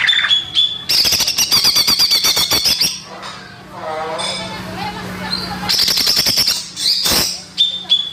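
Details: Natural greater green leafbird song played to lure young birds: rapid rattling, clicking chatter mixed with high thin whistles, a quieter hissing pause, then more chattering bursts and short steady whistled notes.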